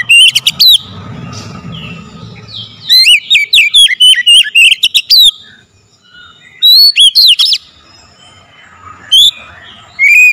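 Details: Lure recording of an oriental magpie-robin, meant to provoke singing and excitement: clusters of sharp, rapid whistled notes separated by quiet gaps, with faint low rumble between phrases.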